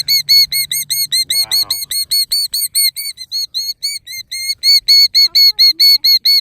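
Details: Killdeer nesting in a pasture, feigning a broken wing to lead people away from her nest, gives a rapid steady string of shrill high notes about two per second over a faint low rumble and brief murmur.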